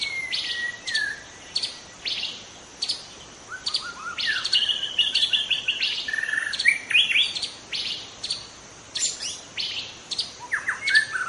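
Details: Young white-rumped shama, wild, from the forest, singing a long varied run of sharp chirps, short whistled trills and descending slurs, almost continuous with brief breaks.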